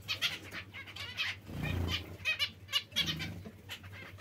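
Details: Zebra finch giving short nasal, buzzy call notes in irregular bursts, some notes doubled, over a steady low hum and some broadband rustling.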